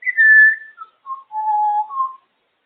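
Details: Captive female African grey parrot sitting on her cage whistles a short tune: a held mid-pitched tone, a few quick lower notes, a long flat whistle and a final higher note, in a quiet indoor setting.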